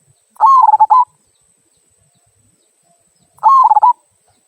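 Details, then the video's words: Local zebra dove in "kung" song, used as a prompt for other birds to sing: two cooing phrases about three seconds apart, each starting with a level note and ending in rapid bubbling pulses and a brief held coo. "Perkutut Lokal Suara Kung, Cocok Untuk Pancingan"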